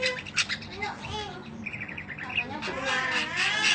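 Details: Budgerigar in long chirping song used as master audio for training other birds: dense, rapid chatter of short chirps and whistled notes, busy and irregular throughout, with a faint voice in the background.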